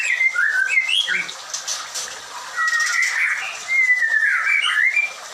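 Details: Farm-kept murai batu, the white-rumped shama, producing bright slurred whistles and short warbled bursts in overlapping phrases, with background hiss throughout.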